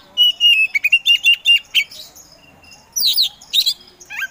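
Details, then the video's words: Kacer or Oriental magpie-robin, a caged contest songbird said to start singing hard after only seconds, gives a run of clear repeated whistles followed by a brief pause and sharp, scratchy rising phrases. "KACER POCI GACOR SANG PROVOKATOR || LELET SUSAH BUNYI SEKIAN DETIK LANGSUNG GACOR AWOR AWOR"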